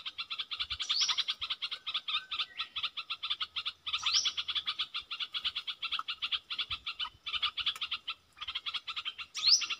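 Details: Wild bulbul of the southern dok taeng form answering a caged lure bird, strong-voiced but staying away from the cage; steady trains of rapid clicking notes, broken by three sharp rising whistled phrases, with faint low rumble behind.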